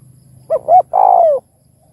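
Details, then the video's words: Spotted dove coo, played to stimulate other doves to call: one phrase of a short note, a slightly longer rising note, then a sustained mellow coo falling away, over faint low hum. "Chim Cu Gáy Kích Bổi Đủ Bài Thúc - Gù - Gáy Gọi - Nghe Là Gáy!"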